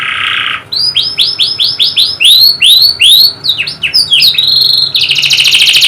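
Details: Canary singing, meant to spur birds reluctant to sing: a short buzzy roll, then a run of rapidly repeated upward-swept whistled notes, ending in a high rattling trill.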